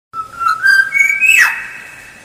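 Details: Black-naped oriole song played as a lure: a clear whistled phrase that climbs in steps, then ends in a harsh rasping burst.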